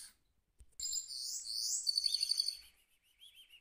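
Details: A caged goldfinch mule sings a bright, high twittering song, with sweeping notes and then a fast rolling trill of rapid repeated clicks, ending in softer chirps.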